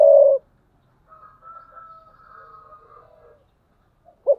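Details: Spotted dove used as a decoy bird, cooing in the thúc bổi style, recorded 2022: a loud low coo opens, faint higher whistled notes drift through the middle, and a short coo returns at the end.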